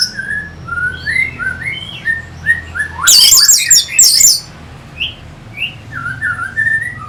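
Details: Song of the Orange-headed thrush, played to spur fighter birds: soft rising whistles repeated at a steady pace, broken by a loud, harsh, high burst in the middle, with a low hum behind.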